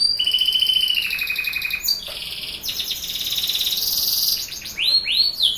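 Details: Canary song meant to get young canaries singing: a long steady whistled trill, a brief pause, then buzzy rolling trills and sharp upward-swept notes, loud and continuous.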